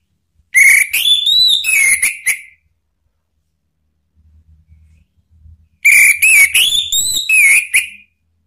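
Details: Male orange-headed thrush singing as a lure recording to prompt other thrushes to sing, with two loud bursts of rich, varied whistles with rising and falling slurs, separated by a pause with a faint low hum.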